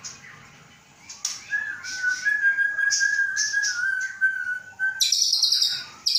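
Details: White-rumped shama kept in captivity in Aceh, hatched 23 August 2012 and destined for a breeding cage; a long steady mid-pitched whistle runs under high scratchy notes, then bright high trills take over.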